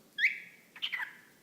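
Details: Whiteface lutino cockatiel, male pet, mimicking speech toward a sock puppet; a rising whistled note drawn out flat, then a quick choppy cluster of word-like syllables, ending on a falling tone.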